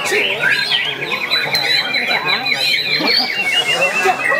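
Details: Young white-rumped shama starting to bring out its learned song material when it sees a rival and a female: dense, fast run of varied chirps, trills and whistled notes, steady and unbroken throughout.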